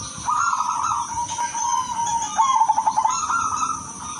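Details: Sweet-voiced silver zebra dove, song used to draw out other doves: long smooth low coos, then a quick rattling series of short coo notes before the tone steadies again, a steady high hiss underneath.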